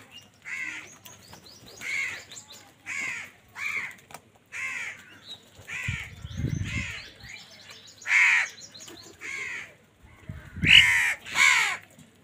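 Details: Several crows fighting for food, giving a steady series of hoarse, grating caws about every half second to second, varying in loudness as birds call near and far, with brief low thumps and flutters.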